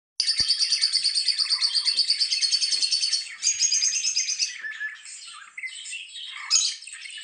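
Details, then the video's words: A lovebird chirps in a rapid, shrill chatter of high notes, then breaks into scratchier, varied twitters. "Lovebird chirping"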